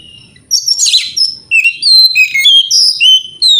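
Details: Oriental magpie-robin in full morning song, meant to stir rival birds to answer. After a brief pause comes a rapid, rich stream of varied whistles, slurred notes and rasping chatter with sharp, ringing high phrases.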